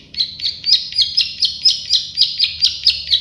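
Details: Plain prinia, known locally as prenjak sawah or klik-klik bird, used as a master song for training; rapid series of sharp, buzzy clicking notes repeated about four times per second, steady throughout, with a faint low hum behind.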